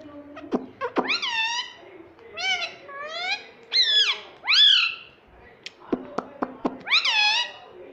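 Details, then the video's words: Pet Indian ringneck parrot talking indoors: a run of rising then falling, strongly harmonic squawked syllables in short bursts, with sharp clicks and pauses between phrases. "Talking Parrot"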